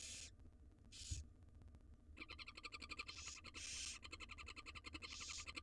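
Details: Wild barn owl nestlings in a monitored nest box begging as their mother feeds them a jird; loud broad rasping hisses in bursts about a second apart over a rapid clicking, scratching rattle.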